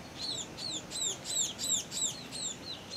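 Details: Scaly-breasted munia of subspecies particeps, two young birds begging for food while flying back into the nest, Tangkoko, Sulawesi, Indonesia, 22 August 2014; high thin downslurred chirps repeated about three times a second, somewhat uneven.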